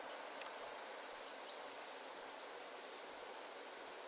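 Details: High, thin single calls from a spotted flycatcher family come at irregular intervals of about half a second, with one faint lower chirp early on, over quiet steady hiss.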